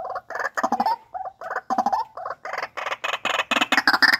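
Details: Captive-bred white-breasted waterhen in steady, insistent croaking, short rough notes repeated rapidly and growing louder and brighter toward the end.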